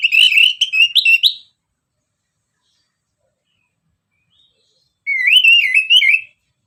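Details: Orange-headed thrush song used as a lure: a rich warbling phrase with quick slurred whistles, silence for about three and a half seconds, then a rolling wavy whistled phrase.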